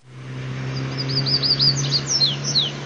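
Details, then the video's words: Coleiro singing in the mateiro song style: a quick run of high, downward-slurred whistled notes that speeds up, then breaks into sharper sweeping notes, over a steady low hum. "COLEIRO CANTO MATEIRO"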